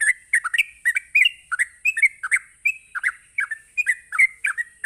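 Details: Fast bubbling song of a sooty-headed bulbul, the provoking 'ropelan' style: tightly packed, liquid, warbling notes that swoop up and down without a break, backed by a steady high-pitched hum.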